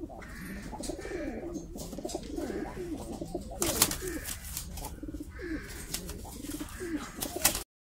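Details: Mukhi pigeons, a fancy domestic pigeon breed, cooing indoors: overlapping low, rolling coos that rise and fall repeatedly, with short clicking and rustling noises between them.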